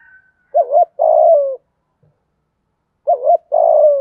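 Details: Spotted dove cooing to prompt other doves to coo quickly: a quivering double note leading into a long, steady coo that sags at its end, repeated once after a long quiet gap; a faint whistle opens.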